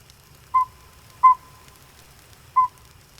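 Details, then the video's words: A Northern Saw-whet Owl recorded in the wild gives three clear, mid-pitched whistled toots at an uneven pace, each short and pure, over a faint low rumble. Its single-note call, like a soft truck reversing, can repeat hundreds of times. "This little owl will repeat this call hundreds of times in a row."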